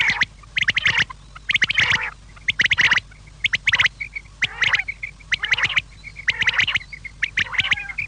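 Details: Quail calling in the evening: bursts of harsh, chattering notes around mid-high pitch, repeated in irregular clusters roughly once a second, with a faint steady hum beneath.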